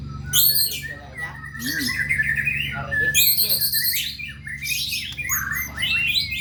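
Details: White-rumped shama song, loud and varied, with high whistled phrases and rapid chattering runs that follow each other almost without a break, over a steady low hum.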